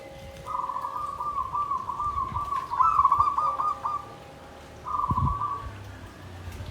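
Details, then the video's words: Zebra dove kept in a bamboo cage, in the Klabang Kapipit or Tumpang Sari song style (klarr kete kuk kuk). It gives a long, low, purring trilled coo of about three and a half seconds, then a shorter trilled phrase, over a faint steady hum. "SUARA PERKUTUT KLABANG KAPIPIT || TUMPANG SARI || KLARR KETE KUK KUK"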